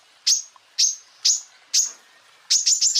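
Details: Greater green leafbird song for training other birds: four single sharp high notes spaced about half a second apart, followed by a quick cluster of similar chips.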